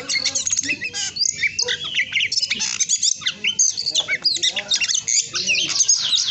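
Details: Oriental magpie-robin with no wing or tail feathers, still singing energetically: a dense, fast run of varied high chirps, trills and squeaky whistled phrases, loud and almost unbroken, with faint low background noise.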